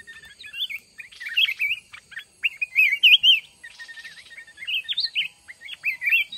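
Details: Red-whiskered bulbul from the mountains at a fight trap with a caged decoy: varied whistled phrases, some wavering, some sharply rising, delivered in steady rapid bursts of rising volume.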